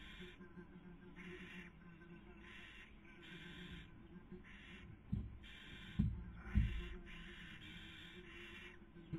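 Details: Nesting barn owls filmed by webcam in Spain's Cabañeros National Park in the 2020 breeding season, female feeding, male trying to sleep; harsh breathy hisses come in a fairly regular series, with a few thuds near the end.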